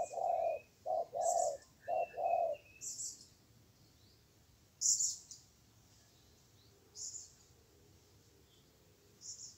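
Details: Spotted dove during trapping, a fierce wild bird facing a weak decoy: four short low hooted coos in quick succession, then quiet with faint high chirps from other small birds.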